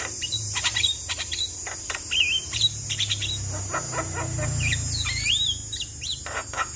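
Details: Javan myna in a song loaded with varied filler phrases, meant to prompt a silent myna into singing: rapid chirps, sharp clicks and rising whistled slurs over a steady high insect-like hiss and low rumble.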